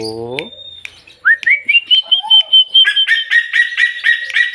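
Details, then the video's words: Little bronze cuckoo (tuwu, lekkolek) calling even while held in the hand: a rising whistled note held high and steady, then a fast series of repeated pulsed notes. A brief human voice is heard at the start. "tuwu/lekkolek luar biasa walaupun di pegang tetap berbunyi"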